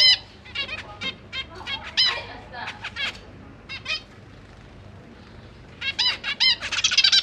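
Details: Caged zebra finches, parents busy feeding their young fledglings: spaced nasal, honking calls throughout, a quiet stretch midway, then a thick cluster of overlapping calls at the end.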